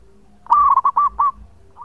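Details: Local zebra dove singing as a lure, a male: one loud phrase of soft, rolling coos, a drawn-out first note followed by three short hooting notes, then a quiet start of the next phrase, over low hum.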